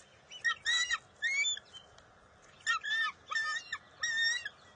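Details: Bald eaglet fighting its mother over a fish at the nest, June 23, 2021: paired bursts of shrill, harmonic squealing notes with short pauses between them, over a low hiss.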